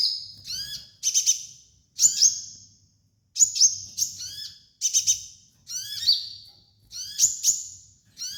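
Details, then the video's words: Sunbird song used for training young birds: a steady run of sharp, high, tinny phrases, some doubled into quick stuttering chirps, repeating roughly every second across the stretch. "MASTERAN KOLIBRI NINJA DAN TERAPI KONIN BAHAN"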